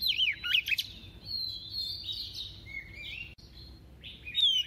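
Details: Double-voiced song from a female decoy Oriental magpie-robin, meant to excite males; quick looping whistles lead into drawn-out, wavering high notes, with a bright whistled phrase returning at the end.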